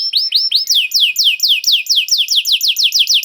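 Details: Canary song played as bait so other canaries start singing: a few rising chirps, then a steady rolling run of quick downward-sliding whistles, about four per second.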